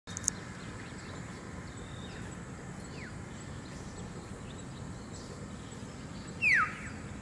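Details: Common hill myna in forest at Jelutong Tower, central catchment area, Singapore: one loud, sharp whistle sliding steeply downward, preceded by a fainter similar note, over a steady low rumble and faint distant chirps.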